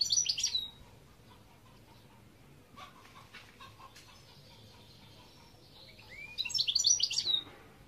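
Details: European goldfinch singing in two short bursts of rapid, high, tinkling twitters and trills, one at the start and one near the end, with a quiet stretch between.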